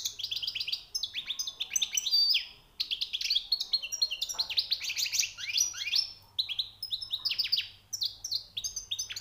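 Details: European goldfinch, new catch, singing continuously: fast, tumbling twitters and high sharp notes in almost unbroken chatter, with only brief breaks and a faint background hum.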